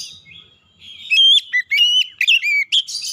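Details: Oriental magpie-robin song, played as a lure to help a stressed bird start singing: varied clear whistled notes and short slurred phrases, some rising, some falling, given in quick bursts after a faint, quiet start.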